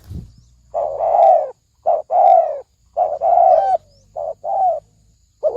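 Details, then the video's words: Spotted dove coos in the thổ sấm đồng manner, meant to attract males and females; a low thump opens, then hollow coos in short-long pairs with falling tails, over a faint hum. "Tiếng chim cu gáy thổ sấm đồng gù gáy kích trống kích mái kích bổi"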